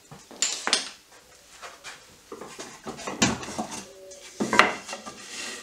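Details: Irregular clattering and knocking of wood and metal tools indoors, like pots and cutlery being handled, with no animal voice.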